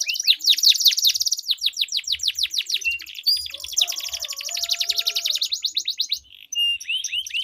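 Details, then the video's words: Two canaries duel in long rolling song, played to set off canaries that will not sing. Rapid chains of falling whistles blend into a thick rolling trill, ending with a few sharp separate notes. "Duel Burung Kenari Suara Merdu Ngerol Panjang || Pancingan Ampuh Kenari Macet Gacor Ngerol Panjang"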